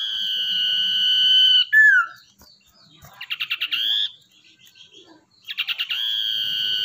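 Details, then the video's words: Wild-caught, tamed common iora singing actively, kept as a lure bird: a long steady whistled note, a short downslurred note, then a rapid run of pulsed notes that merges into another sustained whistle, with the pattern repeated. "Cipoh atau Sirdung Ekor Hitam Gacor buat Pancingan"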